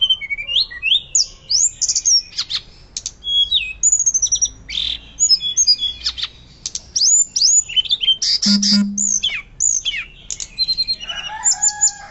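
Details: Hill blue flycatcher singing loudly and energetically, a recording for training other birds; fast run of sharp whistled slurs and twittering notes, some rising, some falling, with a brief lower buzz midway and a warbling finish.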